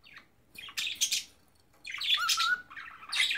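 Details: Pet cockatiel trying to talk and sing, mixing harsh squawky chatter with one clear level whistle in the middle, in two loud bursts separated by a short pause.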